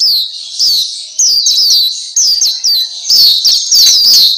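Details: A black-capped white-eye (Pleci Papua) sings for masteran training: thin, high, down-slurred twitters strung into quick phrases, growing fuller and denser toward the end.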